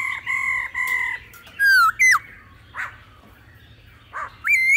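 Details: Laughingthrush song in a mature wild voice with female calls, used to excite other birds: sustained flat whistles, then sharp slurred notes and a rising whistle, with quiet gaps and faint harsh sounds between.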